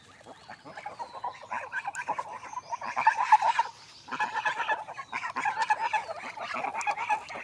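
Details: Swan calling in a village setting, a series of nasal honking notes in bursts, pausing briefly near four seconds before resuming, with a faint higher whistle in the background.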